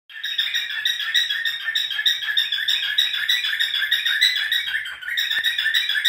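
A cockatiel sings a steady run of bright, beeping chirps that mimic an alarm clock and car sounds.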